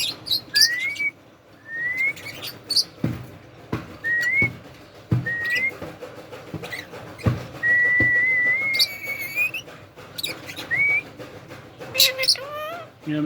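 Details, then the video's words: Pet talking Indian ringneck parrot at bath time: a long run of short, clear rising whistles, with a few harsh high squawks between them and a person's voice and claps nearby. "Ringneck Talking and Bathing"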